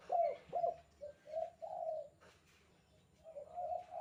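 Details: A spotted dove calling in the kuk 2 style: two quick, bent coos, then a rising run of mellow notes ending in a longer coo, a brief pause, and a further soft drawn-out phrase.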